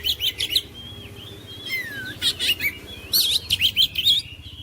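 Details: Oriental magpie-robin song to coax silent birds into singing: chirpy bursts, a drawn-out descending whistle, then renewed quick scratchy notes with whistled turns.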